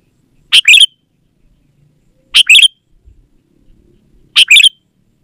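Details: Energetic Sooty-headed bulbul song meant to draw wild bulbuls from the forest and train reluctant birds: three loud, clear two-note chirping phrases, each rising then falling, repeated roughly every two seconds over near silence.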